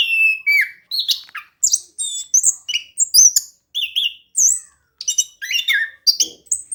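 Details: Rolling, persistent song of an orange-headed thrush, meant to coax quiet birds into singing: short bursts of bright whistles and twittering notes, each phrase dropping in pitch, separated by brief gaps.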